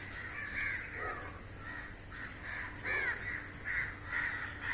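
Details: Crows in large numbers feeding on flying insects above a rooftop; a chorus of grating caws, some louder bursts rising out of the overlapping calls.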